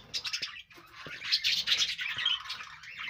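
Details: Pet budgies chattering together: overlapping high chirps and warbled twitters that rise to a fuller burst midway, broken by a few short sharp clicks and a near-silent gap early on.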